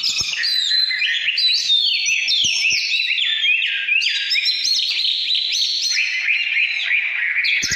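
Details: Căn lửa style singing by an Oriental magpie-robin from 2017: a steady stream of sweet whistled slides and warbles, rising and dropping, with a few faint clicks.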